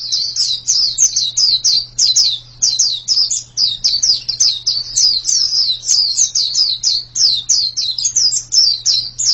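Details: White-eye (pleci) singing a long, continuous run of rapid high chirping notes that rise then drop sharply, about four per second, with a short pause near the middle and a faint low steady hum underneath.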